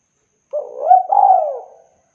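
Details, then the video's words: Clean recording of a spotted dove for luring: a single soft phrase that starts with a brief stutter, rises to a short coo, then stretches into a long, mellow coo that falls away. "SUARA BURUNG TEKUKUR BERSIH JERNIH COCOK UNTUK PIKAT"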